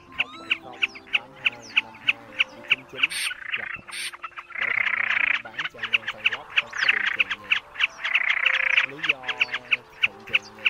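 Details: Common snipe, a large fan-tailed bird, in a lure recording for night net trapping of migrating birds: rapid sharp, clipped notes around three per second, broken by two long buzzy rasping stretches, with low tonal sounds beneath.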